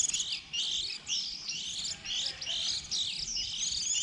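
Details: Young white-eyes early in the season, birds leaving the nest around April, a lure for trapping: rapid high twittering phrases, repeated roughly each half second to second, several voices blending into a constant chatter.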